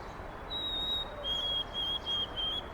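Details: White-throated sparrow in Carl Schurz Park, New York City, on 25 March 2021: a clear, high, pure whistle held steady, then a slightly lower whistled note repeated in short even pieces, over a broad hiss of city noise.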